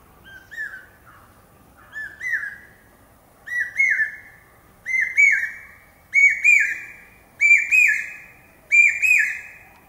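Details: Common hawk-cuckoo, known as the brain fever bird, screaming "pi-peeah" seven times at steady intervals of about one and a quarter seconds. Each piercing two-note whistle is higher and louder than the one before, in a rising crescendo; quiet background.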